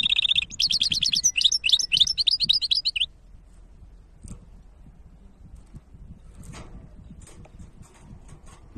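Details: Goldfinch hybrid song, 2023: a three-second burst of fast, high twittering and buzzy trills opens the recording, followed by quiet low background noise with a few faint clicks.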